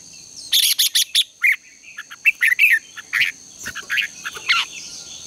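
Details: Morning song of a red-whiskered bulbul, a lure bird for contest training, opening with a fast run of sharp high chirps, then mellow slurred whistled notes in short groups; faint steady hum behind.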